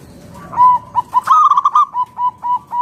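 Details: Local zebra dove singing vigorously to entice other doves to answer. A loud phrase of fast, stuttering coo notes is followed by a steady string of short, evenly spaced coos about three per second.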